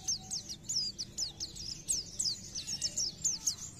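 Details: Quieter Oriental white-eye gacor nembak song, meant to make other white-eyes sing more: a steady series of thin, high downslurred whistles and chips, roughly four per second, over a soft background hiss.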